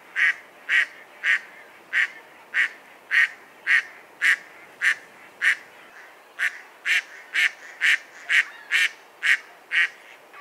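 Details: Repeated nasal quacking from a Mallard, a dabbling duck of the family Anatidae, loud clipped notes roughly twice per second with a short pause near the middle.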